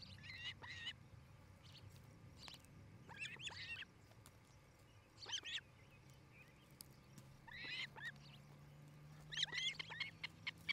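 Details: Osprey at a new nest in Charlo, Montana, near a Great Horned Owl family's treetop home: bursts of high chirping calls come in clusters every couple of seconds over a steady low hum.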